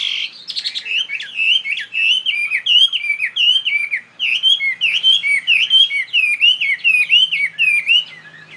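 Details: Chinese hwamei, a tame fighting bird of northwest Vietnamese origin kept in Saigon, repeating loud, clear, swooping whistled notes in a steady rhythm, well over a dozen similar phrases with a short pause midway.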